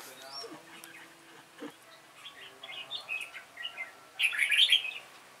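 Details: Two red-whiskered bulbuls singing in a contest against an older decoy bird: scattered soft chirps and short whistled notes build into a loud, rich warbling phrase near the end, with a low hum beneath.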